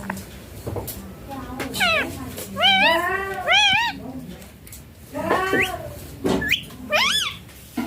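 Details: A green baby Indian ringneck parakeet, kept as a pet while playing and being fed, gives a run of loud, wavering, harmonic calls that swoop up and down, in bursts about a second long, over soft human voices indoors.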